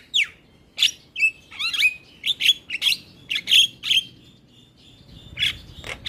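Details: Black-winged starling singing energetically in captivity, used as a lure for a silent bird; loud grating chatter notes mixed with short whistles, about one per second, with a brief quiet gap before the final notes.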